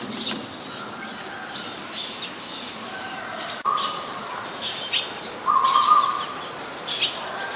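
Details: Eurasian tree sparrow, a very common resident, recorded 10 May 2020 in Ubon Ratchathani, Thailand: bright, short chirps repeated irregularly several times a second, with a thin sustained tonal note underneath and mild outdoor background.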